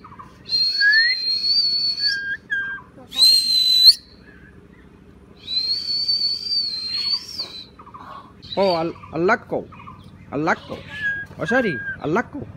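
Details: A talking common myna, chatting with a person, gives long, steady high whistles, then a run of rapid, wavering speech-like syllables copying human words, such as "bye", while the person speaks faintly nearby.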